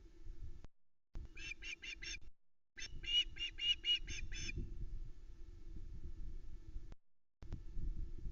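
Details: Young Osprey screaming for fish at the Loch Arkaig nest, 17 August 2020, nest-camera sound: two quick bursts of five or six shrill, evenly repeated notes, followed by wind rumble and low background noise.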